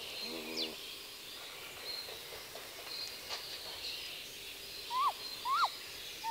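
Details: Female great grey owl on the nest giving contact calls: three short rising-then-falling whistled notes late in the clip, preceded by a lower harmonic moan from the male in the background; faint rural noise throughout.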